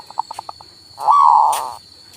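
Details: Male local zebra dove, played to stimulate a silent bird to sing: a quick run of soft short notes, then one long, smooth, mid-pitched drawn-out coo, with a faint steady electrical whine behind.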